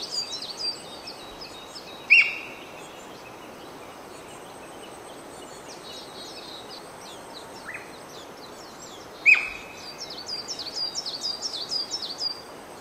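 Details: Japanese Green Woodpecker on 5 May gives two loud, clear 'pyuii' whistles about seven seconds apart, beside a male Ashy minivet feeding on pussy willow flowers, over constant high, thin chirping from other birds.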